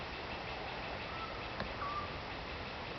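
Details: Eurasian scops owl in Croatia: a faint, higher whistled note followed by a clearer, longer plain whistle, with a small click between, over background hiss.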